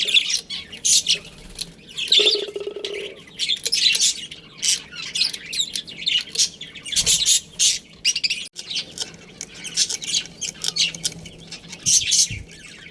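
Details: Pet budgerigar colony with a breeding pair: harsh squawky chirps and chattering warbles come in rapid clusters throughout, one short lower droning note early on.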